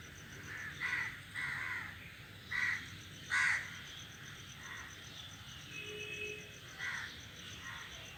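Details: Crows sitting together in a tree give spaced, harsh caws, single and doubled, the loudest near the middle, with quieter calls later and a faint tone in the background.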